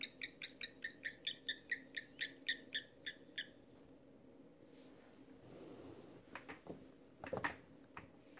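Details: Giant kingfisher (Megaceryle maxima) at Sunset Dam near Lower Sabie, Kruger National Park, eating its catch, gives a fast run of about fourteen harsh, grating kek notes, roughly four a second; scattered knocks and low hum follow, hippos and birds calling around.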